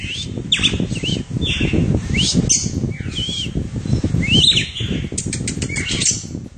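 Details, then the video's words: A red-cowled cardinal sitting on a hand delivers short, clear whistled notes that swoop up and down, set against constant low background rumble. "Galo de campina Acoitando na mão!"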